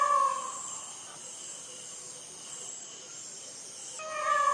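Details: Peacock at midnight in Sri Lanka, recorded with a Sony ICD-PX470: a loud nasal wail fading at the start, a quiet pause of about three seconds, then another strong harmonic scream beginning.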